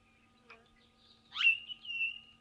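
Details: A pink (Major Mitchell's) cockatoo, one of a feeding group in eucalyptus at Patchewollock in the Victorian Mallee, gives a single harsh-edged, quavering high wail lasting about a second after a faint note, over low hum.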